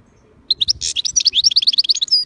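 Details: Pet European goldfinch, described as aggressive and lively, pouring out a fast high twittering song of rising chirps and liquid trills, around twenty notes in under two seconds, ending on a drawn-out thin whistle.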